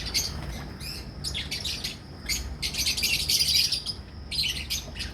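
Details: High, piercing chatter from a breeding colony of albino red-eyed and personata red-eyed lovebirds in Pakistan, bursts of quick overlapping squeaky chirps swelling and fading, with steady low mechanical hum underneath.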